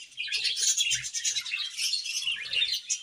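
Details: Budgerigar pair singing in an aviary in the morning: a busy, high, scratchy chatter of rapid chirps running without a break, with faint low thumps beneath.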